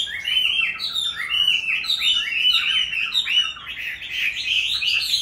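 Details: Captive Chinese hwamei in its fifth year of keeping, raised from a youngster, pouring out a varied, fluid song of swooping whistled notes and quick trills, fairly loud throughout.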